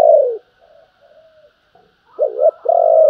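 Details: Spotted dove in the calling and urging coo styles: a falling coo, soft low murmurs, then a wavering double coo leading into a long steady coo.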